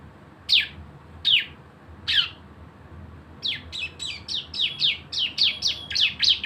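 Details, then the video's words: Javan white-eye in steady 'gacor' song, a 'nembak' shooting style used as a lure to prompt other birds to sing: three spaced high downslurred notes, then a fast run of about ten sharp descending chirps. "CISEM GACOR ‼️ SUARA NEMBAK BREN PANCINGAN BIAR BUNYI"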